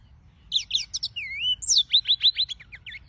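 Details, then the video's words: A yellow-fronted canary, one of several singing birds, gives a short bright phrase: chirps, a long low whistled slur, then a quick series of descending high notes. "Suara Burung - (Serinus Mozambicus) White-tipped Green Singers Singing"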